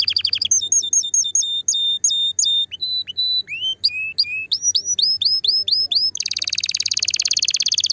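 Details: Canary song aimed at stimulating the female: clipped repeated notes, then upswept whistles at several pitches, ending in a dense fast buzzy trill; faint low hum in the background.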